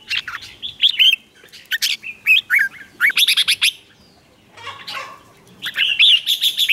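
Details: Red-whiskered bulbul singing in a contest meant to provoke other birds into answering: bursts of bright, warbling whistled phrases with quick up-and-down notes, separated by short pauses, plus a softer lower phrase mid-way.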